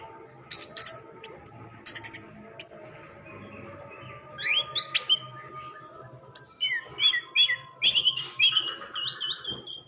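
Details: Varied song of an orange-headed thrush: harsh buzzy bursts at first, then clear whistled and slurred notes repeated in quick sequences, ending with high thin trills.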